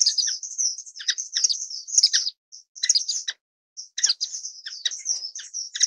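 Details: Orange-cheeked waxbills (Estrilda melpoda) giving thin, very high chirps and twitters in quick busy runs, broken by two brief pauses; no other sounds intrude.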